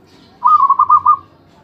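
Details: Continuously singing zebra dove giving a single short phrase of about six quick, pulsed, mellow cooing notes on a level pitch, lasting under a second, over quiet low background noise.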